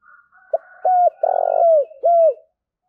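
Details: Spotted dove cooing to provoke a fight: a faint lead-in, then a crisp note, a falling coo, a long harsh rattling coo easing downward, and a final smooth falling coo.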